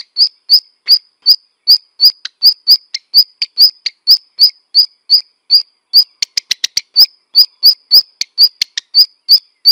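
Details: Repeated high, sharp call notes from a black redstart, evenly spaced, with a brief burst of fast clicking ticks near the middle before the regular calls resume.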